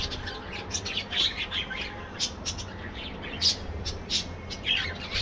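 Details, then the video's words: Budgerigars in an aviary colony, a chorus of many birds: scattered sharp chirps and squawks, bright and high, overlapping at irregular intervals over a low steady hum. "budgies bird"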